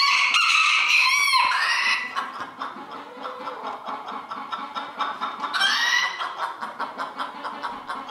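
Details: Crowing contest at Villers-la-Ville in 2022, with many roosters: a strained crow opens, a second bright crow follows a few seconds later, and a constant background of clucking pulses continues throughout.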